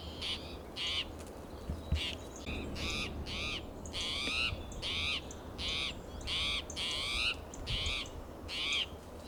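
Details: Spotted towhee sounding alarm, territorial and agitated, in Del Monte Forest, California, June morning: harsh buzzy calls repeated about 83 times a minute at uneven intervals, each with an upward-curving nasal tone, plus distant low hum.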